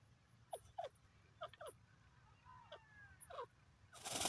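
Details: A dakhni teetar (francolin) gives short, hoarse, downward-slurred notes in quick pairs, with a faint thin whistle between them and a harsh burst of noise at the end.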